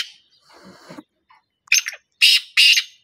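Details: Black francolin uttering a short phrase of three loud, scratchy, harsh notes after a brief stretch of faint indistinct noise.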